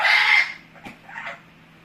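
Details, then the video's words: Short, loud, hoarse screech from a pet Amazon parrot, followed by a click and a faint, softer muttering note. "My Amazon parrot Hecko is making funny noises"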